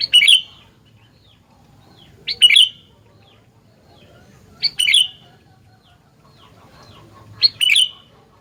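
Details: Sooty-headed bulbul repeating short, lively phrases of bubbling whistled notes roughly every two and a half seconds, four bursts in all, each with a sharp lead note, over a quiet background.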